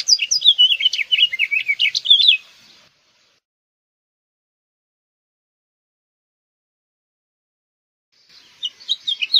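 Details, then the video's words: House Finch song: a fast, jumbled warble of chirpy notes lasting over two seconds, then a long silence before a second warbled phrase begins near the end. "House Finch Song! House Finch Call! House Finch Sound!"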